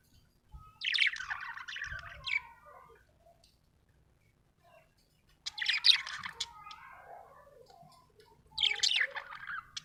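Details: Happy budgerigar chattering in three long warbling bouts of scratchy, wavering high notes separated by pauses, with faint low knocks underneath.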